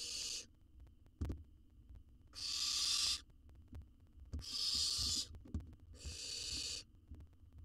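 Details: Owl youngster in a wild, camera-monitored nest box in Israel, devouring a jird whole; a string of rasping hiss-shrieks, close together near the end, broken by a sharp knock and low scuffling.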